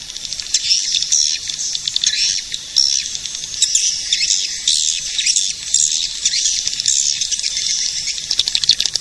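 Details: Swiftlet-calling recording of edible-nest swiftlets: steady, high, buzzing twitter made of many rapid chirps, rising and falling gently in loudness over several seconds.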